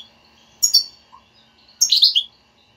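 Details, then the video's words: European goldfinch twittering meant to stimulate a silent goldfinch to sing: two short bursts of bright, high chirps, the second a longer tumbling phrase, with a faint low hum. "حسونك لا يغرد أسمعه هاته البتبتة وشاهد النتيجة"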